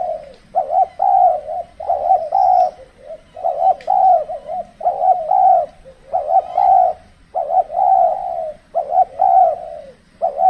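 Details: Spotted dove cooing as a decoy bird in cold-season trapping, with birds less aggressive; steady run of low, repeated coo phrases with stammered double notes, and faint high chirps in the background.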